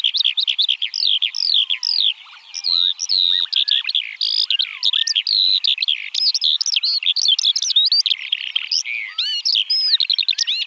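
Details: Eurasian Skylark song: a continuous, rapid, high warbling stream of trills, chirps and slurred whistles, with almost no pauses and occasional lower rising and falling whistles.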